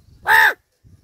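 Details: Crow said to talk in Marathi: one loud, harsh caw lasting about a third of a second, rising then falling slightly in pitch, with quiet low rumbling before and after.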